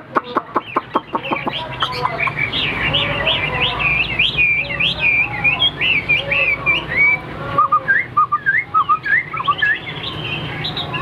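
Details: A tame hwamei singing alone, with a female kept at a distance: sharp clicking notes in quick succession, then flowing whistled phrases and looping downslurred whistles.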